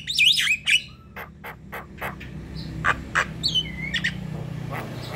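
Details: Javan myna song meant as a singing lure: a burst of loud harsh squawks and a descending whistle open the passage, then spaced dry clicks and short chirps follow over a low steady hum.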